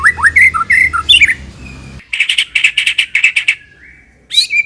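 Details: White-rumped shama singing gacor-style: quick varied whistled slurs, then a rapid series of harsh buzzy notes at steady pace, a short plain whistle, and a final sharp high note.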